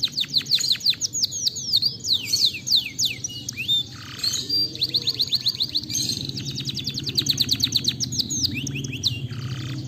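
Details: Canary singing as a lure to trigger song: dense, continuous run of high whistled notes and fast trills with brief buzzy bursts, over steady low background noise.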